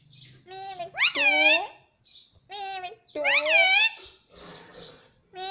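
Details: Indoor pet Indian ringneck parrot repeating mimicked words, two loud harmonic arched phrases about two seconds apart with softer syllables between, resembling short spoken words.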